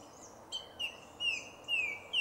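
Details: Croatian song thrush, Zagreb's Jarun woodland, 2 March 2016, sings a clear, slightly descending whistled note four times in quick series, each sharply started, over faint background noise.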